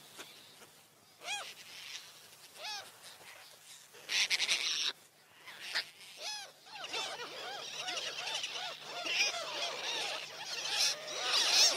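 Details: Gulls calling with repeated arched, mewing cries that build into a busy overlapping chorus, with bursts of noise.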